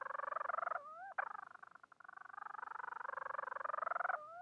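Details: Bermuda petrel seeking a mate: a steady, quick pulsed growl interrupted by an upward-sliding note, continuing in long pulsed phrases and ending on another rising slur.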